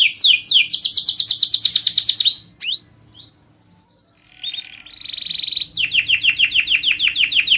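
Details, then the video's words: Caged panda canary in full song: a fast rolling trill of downward-sweeping notes, a short pause with a couple of isolated chips, then a steady buzzy tone and a further stretch of rapid repeated sweeping notes; low background hum. "KENARI PANDA KACOR"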